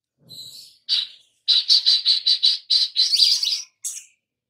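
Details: Oriental magpie-robin lure song to draw other birds into singing: a quick volley of loud, evenly repeated high chirps, roughly eight in a row, ending in a scratchy flourish and one last note.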